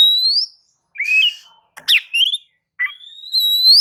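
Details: Oriental magpie-robin song for prompting other birds: long pure rising whistles alternating with quick downslurred notes and a harsh buzzy phrase, ending on a sustained clear whistle.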